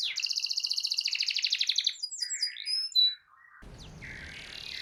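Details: Canary singing, played to coax a silent canary into song: a fast rolling trill of high buzzy notes for two seconds, then scattered whistled slurs and chirps, ending in a stretch of hissy noise.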